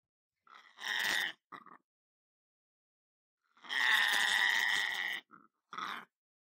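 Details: Male pet lorikeet in a home kitchen, producing a rough screech with a short chirp after it, then a long, loud grating screech followed by two brief chirps.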